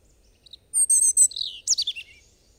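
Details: A European robin sings one short phrase: a soft note, then three ringing high trilled notes, a sliding descending whistle and a fast tumbling flourish of thin warbles.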